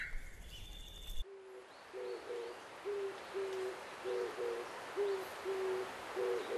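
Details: Oriental turtle dove (Streptopelia orientalis), a resident bird in Korea that breeds in early spring, giving deep, soft coos in single and doubled notes in a steady series, after a brief burst of other sound.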